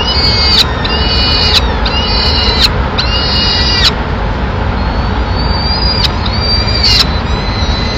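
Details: Peregrine falcon nest in Madrid, 27 April 2016, with the female arriving to feed the chicks; strong, harmonic, whining calls in quick succession, then a pause and a few more, over a low steady rumble.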